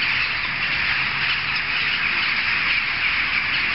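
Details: A large gathering of jackdaws, loud enough to be heard several streets away, fills the air with a dense, unbroken chorus of overlapping harsh, high chattering calls.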